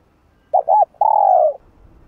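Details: Spotted dove singing the hap boi voice to excite other doves: a quick double coo followed by one long, smooth, gently descending coo in a quiet setting.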